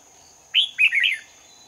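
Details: Red-whiskered bulbul lure bird singing competitively during trapping in Hoa Binh on 18 November 2019: one short bright warbled phrase, a rising note, then quick liquid tumbling notes, over a steady thin high whine.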